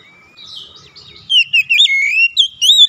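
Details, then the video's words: Oriental magpie-robin song used as a lure to get a reluctant bird singing. After a quiet start, rich whistled phrases run in quick, varied bursts, with rising and falling slurred notes and short gaps between them. "tera memancing Kacer bahan susah bunyi langsung gacor"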